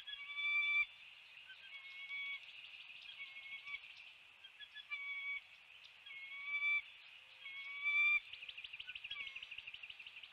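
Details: Bald eagle at its nest on a live nest camera at 7:04 am on 29 February 2020, as a still-alive fish is brought in: short clear high whistled notes in bursts about every two seconds, over a steady high-pitched chorus.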